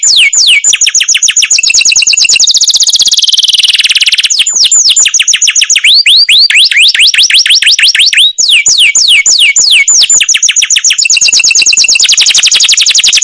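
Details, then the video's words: Masteran canary, song described as long rolls, delivered as fast trains of steep downward-sweeping whistled notes, then a buzzy trill, more rapid swept phrases and a brief sharp click midway; no other sounds. "suara kenari masteran"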